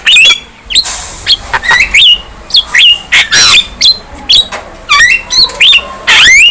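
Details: Lively young Javan myna singing a mix of harsh squawks, hissy blasts and curving whistled notes in steady rapid bursts.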